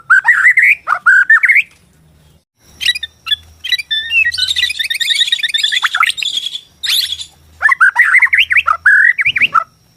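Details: Borneo white-rumped shama singing, used to provoke shamas into answering and fighting: bursts of rapid rising and falling whistled phrases, a dense high buzzy trill in the middle, a brief pause, then more loud looping whistles.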